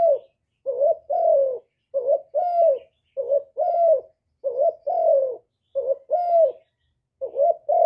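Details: Spotted dove in hạp bổi voice style, from a noise-free recording of a full calling, urging and cooing song. Repeated two-part coos, soft and hollow, the second note longer and falling, delivered in an even rhythm with nothing else heard.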